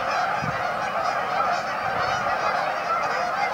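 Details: Canada geese gathered at a staging area on Amber Trails Lake, Winnipeg, giving a dense, continuous chorus of overlapping nasal honks from many birds at once.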